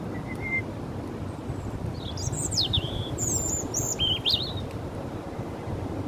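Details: Robin singing in a park in the rain while coming to take food: thin high warbled phrases with sliding, twisting notes in short bursts, over steady rain and low background rumble.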